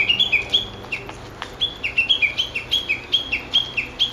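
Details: Japanese bush warbler calling in the woods of an ecology park on 06/12: a brisk, loud chain of descending whistled notes, around four per second, after a brief pause, clean and close.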